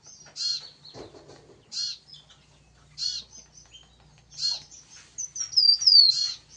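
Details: Yellow-bellied prinia in vigorous song: short, bright, high chirpy bursts repeated about every one and a half seconds. A quick whistled, descending trill closes the phrase, and a brief low rustle is heard early on.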